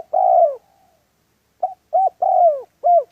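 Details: Spotted dove in a trapping setting: one long falling coo, a pause, then a quick run of short clipped coos and another falling note, low and mellow, with nothing else audible.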